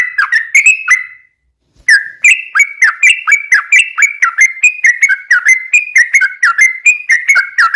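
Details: Sooty-headed bulbul in a long, rapid rolling 'ropel' song used as a lure to set other bulbuls singing: clear whistled notes, each dipping and rising, repeated in quick bubbly runs, with a short pause near the start.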